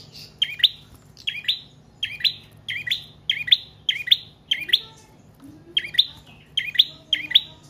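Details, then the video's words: Continuous chirping from a prinia of the trotol or paot kind, used as a lure and master bird for training cage birds: evenly spaced sharp double notes throughout, plus a faint low sound midway. "Prenjak Trotol/Paot Gacor Panjang"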